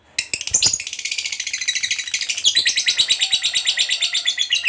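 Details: Lovebird song in the 'ngekek' style, used as a lure to make other lovebirds sing. A burst of harsh notes after a brief quiet start leads into steady fast chattering trills of high pulses, with a jump in pitch partway through.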